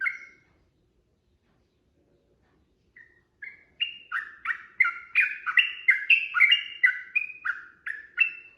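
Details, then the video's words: Sooty-headed bulbul fighting song played as a lure for answering birds: an opening chirp, silence, then a swelling, crowded run of bubbly whistled notes at about three per second, ending with clear single phrases. "trucukan gacor TARUNG ROPEL PANJANG pancingan trucukan agar bunyi jadikan burung trucuk gacor NYAUT"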